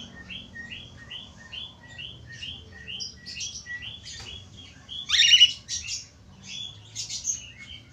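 A cockatiel sings a quick run of short, bright chirped whistles, then a louder harsh burst.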